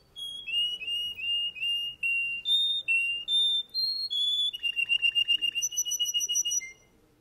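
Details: Male Russian canary singing: a string of short whistled notes repeated about three per second, shifting pitch, then a faster rattling trill before the song fades.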